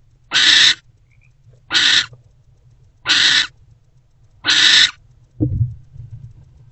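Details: Pre-dawn screeches from a barn owl mother and older owlet sharing a nest box, February 20, 2024: four rasping, broadband hisses, each under half a second and spaced roughly a second apart, followed by a low scuffling bump.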